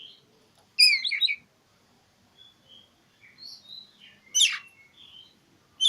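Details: Oriental magpie-robin singing to find a rival, used as a lure for silent birds: a loud harsh burst of downward sweeps, soft thin whistles, then another sharp falling note near the end.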